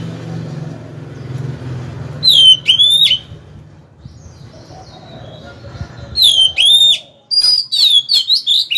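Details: Caged Oriental magpie-robin used as a decoy to draw rivals into fighting; after a low background hum, clear drawn-out whistles with sharp downward slurs, then a fast run of varied chirping notes.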